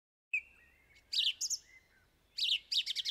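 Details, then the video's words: A song thrush sings a clear whistled note, then bright, rich phrases, ending with one short note repeated quickly about four times; nothing else is heard. "Song Thrush - Bird Song"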